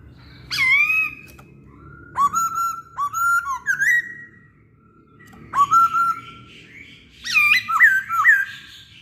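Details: Masked laughingthrush singing actively, a recording meant as a lure for other birds: loud slurred whistles with rich overtones, some dipping then rising, in bursts of two to four notes separated by short pauses, over a low background hum.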